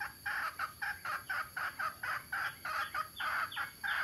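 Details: Harsh, squawking notes from adult male and female mixed-breed junglefowl at Tha Som, Nam Som, Udon Thani, coming in an even stream of roughly four a second, loud and close, with little else heard.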